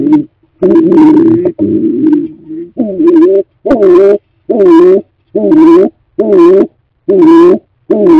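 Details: Stock doves ready for the coming breeding season at a newly cleaned nest box; a close, steady series of low, resonant coos, about ten short notes in eight seconds, evenly spaced with brief gaps.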